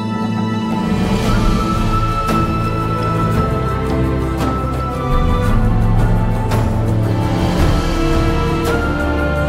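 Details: Layered orchestral music with sustained tones and soft percussive hits, no animal voice heard.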